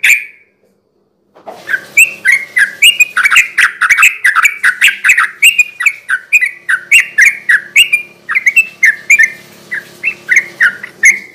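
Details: Sooty-headed bulbul in full, lively song, used as a night-time lure for untrained birds: after a second of silence, a dense run of short bubbly, chirping notes follows nearly four a second, with a faint low hum beneath.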